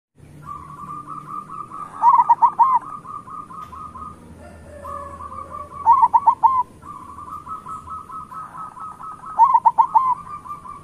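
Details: Local zebra doves, kept birds, used as a lure to make lazy doves sing: several doves overlap, one holding a fast beaded trill around mid pitch while louder groups of three to four ringing coos burst out every few seconds.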